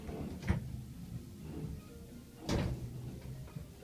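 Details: Two brief crunchy rustles, like a crisp packet being handled, over a quiet indoor room hum, with no animal calls.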